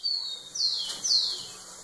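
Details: Rufous-collared sparrow singing to a female: three thin whistled notes, the later two slurring downward, over a steady background hiss and low hum.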